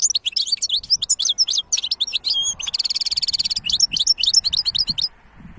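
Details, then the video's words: Goldfinch hybrid recorded in 2023 singing a clear, loud, continuous song of rapid high twitters and slurred notes, broken by a rattling buzzy trill midway, then more twittering before falling quiet. "تغريد وابداع هجين الحسون ولا اروع"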